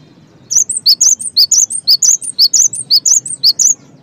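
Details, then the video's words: Cinereous tit song played as a lure for other tits: after a quiet half second, crisp high notes fall into steady three-note phrases, each repeated about twice a second, over a soft low hum. "SEmuA GelaTIk LangSung iKuT GaCor deNgarkan suara GELATIK BATU gaCoR ini"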